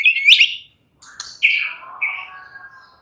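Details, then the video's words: White-rumped shama kept as a songbird, relaxed singing: a bright trilled phrase, a pause, then sliding whistles that descend into a lower wavering tone. "murai batu sudah ikut NYRECET GACOR dengan kicau Santai Murai batu ini"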